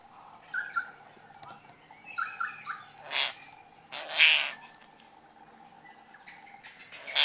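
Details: Kaka, a New Zealand parrot, playfully arguing with half an apple: scattered short squawks and harsh chattering bursts between quieter moments, with a steady low background hum.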